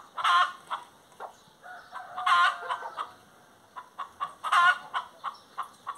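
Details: Singing hen repeating a loud, ringing squawk about every two seconds, with quicker clucks between and a rapid cluck series near the end over light background noise.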